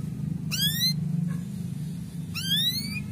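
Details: Male canary giving its cuit-cuit chirp, said to stir breeding readiness in young canaries: two sharp rising chirps, about two seconds apart, over a steady low indoor hum.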